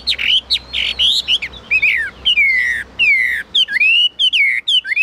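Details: Kept Chinese hwamei singing high from its cage: long, loud, sweeping whistles that dip and rise, mixed with shorter sharp notes, delivered in uneven bursts with brief pauses.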